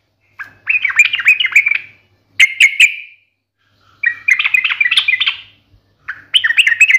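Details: Yellow-vented bulbul in full chattering song, sharp fighting-style ngalas delivery: bursts of bubbly, warbled notes alternate with short double chirps and brief silences.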